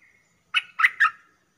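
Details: Streak-eared bulbul, a cage bird, used as a lure sound for trapping: three short, harsh chirping notes close together, each a burst of buzzy mid-high tone, on a silent background.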